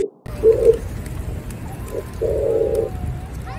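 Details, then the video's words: A pigeon gives a few soft, low coos: a short double hoot early on, a brief note, then a longer rolling coo, all set against a noisy outdoor background with faint clicks. "pigeon sound"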